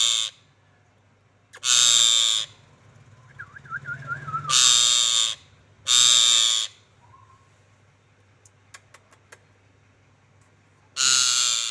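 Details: Ringneck parrot giving loud, harsh, grating screeches, each lasting about a second. The screeches are repeated at irregular intervals, with quieter wavering notes and faint clicks in the gaps.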